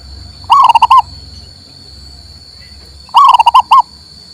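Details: Local male zebra dove singing, meant to coax a silent bird: two phrases, each a rising coo, a fast pulsed trill, then a final separate coo, with a faint low rumble and a steady high hum.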